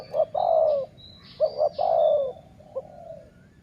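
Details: Sai muang style dove used for decoying, calling a rolling coo, then two short notes and another long descending coo, ending with a quieter brief note and a fading coo.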